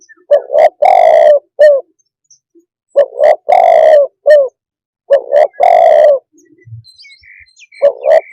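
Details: Repeated phrases from a spotted dove, four in all, every two to three seconds. Each has short paired coos leading into a long burred coo and a brief dropping note, and a faint click follows one phrase.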